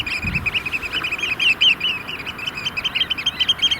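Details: About thirty Eurasian oystercatchers displaying in courtship beside a large sand-pit lake in Vriezenveen, Netherlands, in cold rain and hail near 5 °C; dense continuous chorus of shrill piping notes from many birds overlapping, with steady rain noise throughout.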